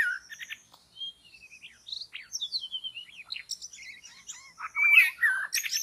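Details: Long-tailed white-rumped shama in forest where trapping takes place, delivering a rich, varied run of whistles, slurred glides and quick chattered notes that build into a louder, denser phrase near the end.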